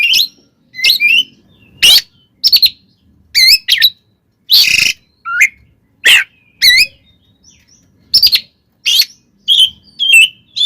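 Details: Oriental magpie-robin fighting song, used to rouse other magpie-robins: loud trilled whistles, buzzy bursts and quick upward sweeps in repeated short phrases throughout.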